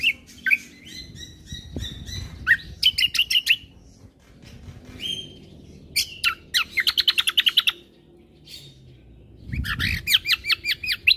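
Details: Combo birdsong for provoking other birds: mixed whistles and chirps, with several fast repeated-note trills. Low thumps are heard in the background.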